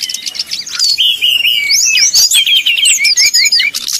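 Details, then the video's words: Brown-chested jungle flycatcher giving a fast, high, fluty song of varied whistled slurs and trills, running continuously with no pauses, used as a lure recording said to provoke rival birds. "srdc nyuling bikin lawan jadi panas penuh emosi"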